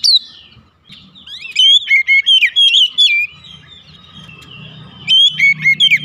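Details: Home-kept oriental magpie-robin, its song used to lure other birds into singing: varied whistled phrases with sharp up-and-down notes, loud stretches separated by quieter pauses over faint low hum.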